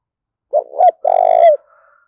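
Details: Spotted dove coo given to provoke fighting: two short notes, the second rising, then a long steady croon sliding down at the close. A faint thin whistle-like tone lingers afterwards.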